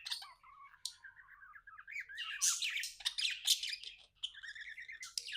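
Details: Contented pet budgerigar chatter: soft wavering warbled notes at first, building into louder harsh squawks and buzzy chirps, then fast rippling twitters.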